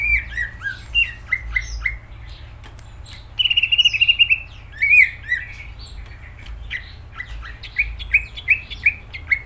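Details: Greater green leafbird pouring out varied song: rapid descending whistled notes, a buzzy trilled phrase, then more repeated slurred chirps continuing to the end, with a constant low background hum.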